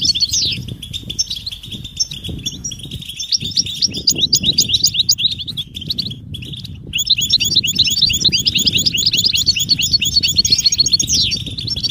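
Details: Goldfinch butbuta mating and readiness calls that push a silent male to sing: dense, high, metallic twittering with quick chirps and trills, a brief lull midway, then a louder run of tinkling notes; low background hum throughout.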